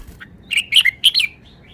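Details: Caged red-whiskered bulbul from Thailand giving a brisk phrase: a soft introductory chirp, then four bright warbled whistles tumbling together, ending with a few thin trailing notes; low background hum beneath.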